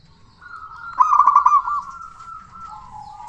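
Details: Local zebra dove singing loudly as a lure for other doves: a sustained even tone with a quick trilled burst at its start, fading into a softer, slightly lower closing note.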